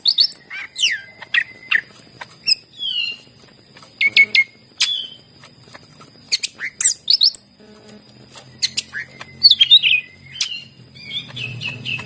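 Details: Greater green leafbird singing energetically, used as a prompt for leafbirds that are slow to sing: irregular bursts of high chirps, sharp whistles and trills, some held whistled tones, separated by brief gaps.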